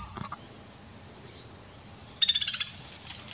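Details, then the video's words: A single short, rapid rattle of repeated notes from a white-naped woodpecker in Kanha National Park, Madhya Pradesh, India, near the end. Faint softer notes come earlier, with a constant high insect drone throughout. "Bird calls 09 - White-naped Woodpecker"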